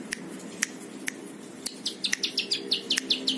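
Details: Plain prinia singing as tutor material for other birds: scattered sharp clicks at first, then a quick run of high, down-slurred chirps in the last second and a half over a faint low hum.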